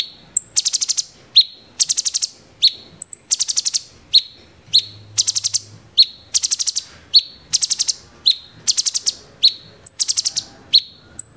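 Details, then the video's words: A bulbul gives rapid bursts of harsh, clicking rattles, about one a second, mixed with sharp high whistled notes; other sounds are barely audible. "cucak CUNGKOK tembakan GEREJA TARUNG!!!"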